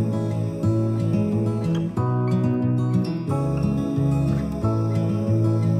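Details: Strummed acoustic guitar music with steady plucked chords and a low bass line, and no animal sounds.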